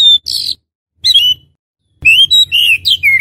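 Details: Oriental magpie-robin, kacer, voice used as a lure to attract wild magpie-robins: clear whistled notes sliding between high pitches, delivered in short bursts separated by silent gaps, one sweeping phrase after a pause.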